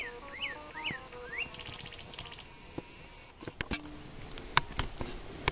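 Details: A Northern cardinal sings at dawn in Mexico during turkey hunting season: four quick slurred whistles, each rising then dropping, over a steady humming drone, followed by sharp clicks and knocks.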